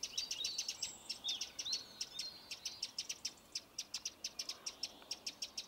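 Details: Eurasian wren giving its alarm call: a steady series of hard, dry, very high ticks, about four per second, continuing throughout, with softer high chirps mixed in early on.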